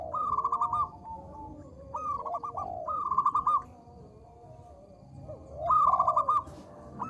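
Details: Small-voiced local zebra dove in full song, used as a calling lure: three to four bursts of rapid, ringing, clipped coos with softer descending coos from other doves in between.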